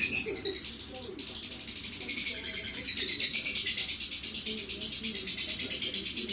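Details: Lovebird of the Moreno mutation, described as 'bocor' (singing freely), giving a fast continuous high chattering song with rapid repeated notes, about three per second, dense and unbroken, with a brief lull near the start.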